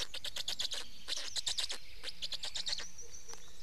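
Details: Black storks at an Estonian nest during a change-over of the adults and feeding, 19 May 2019; dense bursts of rapid, raspy broadband pulses in quick series, pausing briefly between runs.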